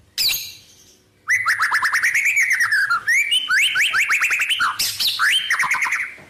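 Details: White-rumped shama song of mixed wild-bird phrases: a high squeal, a pause, then continuous fast trills and rising, whip-like notes strung together for several seconds.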